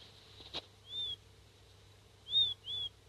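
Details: Seven-day-old king quail chick giving its calling-for-parent cry: thin whistled notes, each rising then falling, one alone then a close pair, over a faint low hum and a single tap.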